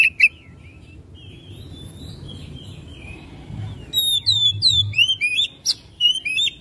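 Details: Oriental magpie-robin lure song for getting another bird singing persistently: a few notes, then soft, distant warbling, before a lively run of loud, varied whistles and chirps in the last few seconds.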